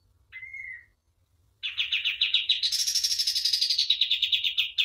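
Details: Common iora in a master song for bird training: one clear level whistle, a pause, then a fast run of chips rising into a long, high, buzzy trill.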